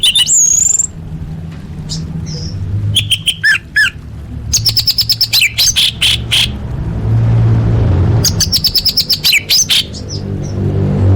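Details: Orange-headed thrush song used as a lure to get caged birds singing: bursts of high, sharp whistled and chattering notes, clustered into dense fast runs near the middle and end, over a steady low rumble.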